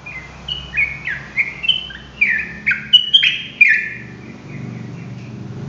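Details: Sooty-headed bulbul with rapid ropel singing: a quick burst of bright, falling whistled notes for about four seconds, then trailing off into low rumbling background noise.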